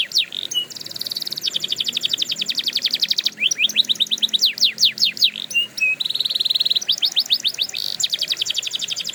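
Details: Canary training song: continuous rich singing alternating fast rolling trills with sharp descending whistles and short level tones, loud throughout.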